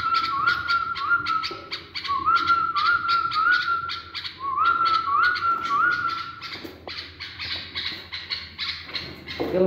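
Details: A tame pet bulbul, being trained for mating, sings short, liquid whistled phrases that rise and then hold, about once a second, over a steady background of sharp chirps and clicks.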